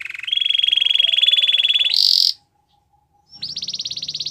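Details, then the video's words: Belgian canary song used for training silent canaries: a long steady buzzy roll, a brief higher burst, a pause, then a bright high pulsed trill. "Your Canary Is Silent, Turn It Around So It Will Sing Along | Belgian Canary Singing"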